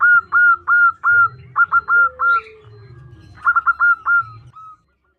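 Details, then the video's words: [5, 'Calling to the male, a female zebra dove repeats clear hooked coos, first evenly spaced and then in fast clusters, over a faint low hum.'] "Perkutut Betina memanggil jantan"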